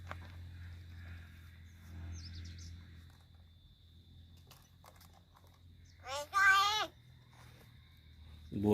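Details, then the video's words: Talking crow in Palghar imitating human speech: after several quiet seconds of low hum, one loud, harsh, rising-and-falling vocal burst lasts about a second, then faint room noise returns. "Palghar Talking Crow"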